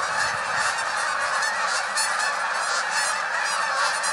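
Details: Canada geese taking flight in a flock of hundreds, loud, bright honks pulsing over one another in a dense, unbroken chorus.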